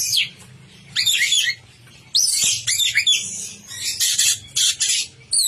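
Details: Energetic song of an orange-headed thrush, singing hard: harsh squawky notes mixed with shrill whistles and fast chattering phrases in loud bursts, broken by short quiet gaps, with a soft low hum in the background.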